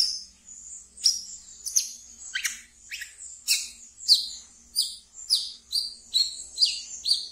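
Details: Ngeriwik-style song from a kept wiceh, played to draw and train brown-throated sunbirds: a steady run of thin, high, down-slurred chips repeated roughly twice a second, with quiet background.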